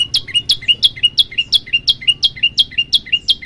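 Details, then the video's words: Prinia, known locally as prenjak lumut, delivering part of a long burst said to last forty seconds in one breath: a fast, even string of sharp upslurred chirps, about three per second, with a faint low hum behind. "tembakan 40 detik sekali napas masteran prenjak lumut"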